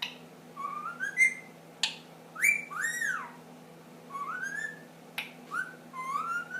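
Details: Ten-month-old pet ring-necked parakeet indoors, starting to whistle the Addams Family song: short rising whistled notes and swooping arched phrases, broken by sharp snap-like clicks at irregular intervals, with a low steady hum.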